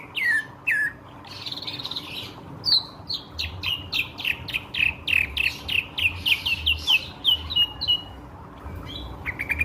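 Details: Drongo singing as a lure for surrounding birds: a dense series of sharp, descending whistled chips repeated more than once a second, with a few warbled phrases at the start and steady faint background hiss.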